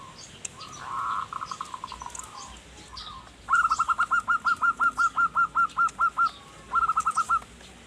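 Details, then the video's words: Zebra dove, the perkutut, singing gacor in manggung style to lure wild birds: a softer trill first, then a long run of about fifteen loud, evenly spaced cooing notes and a shorter closing burst. "Perkutut Manggung Gacor Pas Buat Pancingan Burung Hutan"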